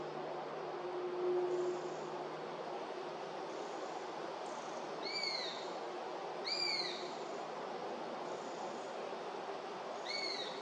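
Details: Juvenile Eurasian sparrowhawk at Beemdkant, Wijnegem, 11 August 2021, begging with four long, thin whistles that swell and sag in pitch, arriving irregularly every one and a half to four seconds. A low steady hum runs underneath, with faint distant rumbling.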